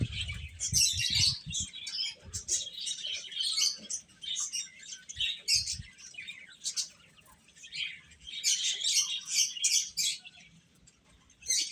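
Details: Chicks peeping as they eat, clusters of shrill high chirps that swell, fade for a few seconds, then return strongly; soft low knocks early on.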